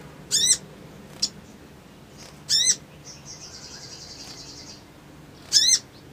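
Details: Crimson sunbird, ngriwik-ngleper-trotol style, played as an emotional lure: a few isolated high arched chips separated by pauses, with a faint buzzy trill in between.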